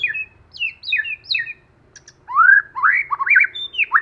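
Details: Lure white-rumped shama in wild forest-style song: a run of quick descending whistled notes, a short pause with two faint ticks, then loud rising and warbling whistled phrases.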